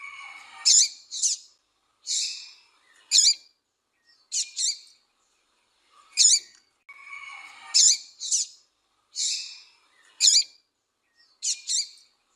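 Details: Female double-collared seedeater calling and chirping, played to make males sing: short, high, harsh chips in pairs and singles, repeated irregularly about every one to two seconds.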